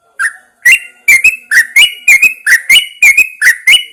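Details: Yellow-vented Bulbul in a cage, hung outside early in the morning to prompt singing: lively, evenly paced string of paired rolling whistles, about two to three per second, loud and clear against a quiet background.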